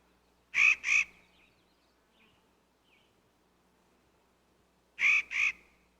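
Clark's nutcracker giving harsh, grating two-note calls, a pair near the start and another pair about four seconds later, with quiet background between.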